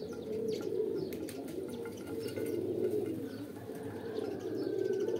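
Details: Pigeons keep up a low, purring coo, phrases blending into one another. Faint chirps and clicks from other birds are heard.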